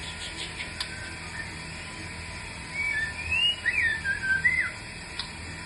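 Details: White-rumped shama giving an unusual, rare call: a brief run of varied whistled notes, slurring up and down, lasting about two seconds over a steady background hiss.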